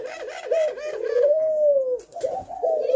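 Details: Spotted dove cooing, sung to provoke males and females: quick low rolling notes leading into a long drawn-out coo, then another phrase starting; a faint click in between.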